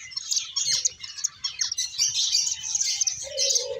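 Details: Finches chirping together in a dense, continuous high twittering chorus of short overlapping chirps, with a lower drawn-out note entering near the end and faint low rustling beneath.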